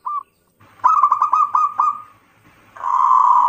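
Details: Local zebra dove song played as a lure to get other birds singing: a short cooing note, then a quick run of throaty notes that slides into a drawn-out trill, then a sustained buzzy coo.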